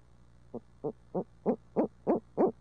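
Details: Barred owl in urban Midtown Tulsa during a hoot fest: seven quick hoots that build from soft to loud at a steady pace of about three per second, over faint low hum.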